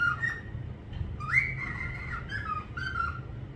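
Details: A parrot whistles a clear, drawn-out note that rises sharply and then holds steady. It is followed by a few shorter, lower whistled tones.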